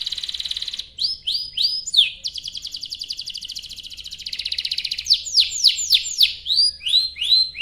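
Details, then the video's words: Long rolling canary song, played as a lure so other canaries join in: repeated swooping whistled notes, then a long rapid buzzy roll, then more clear descending whistles in quick succession. "Kicau Suara Burung Kenari Gacor Panjang cuit cuit Ngerol untuk Pancingan Kenari"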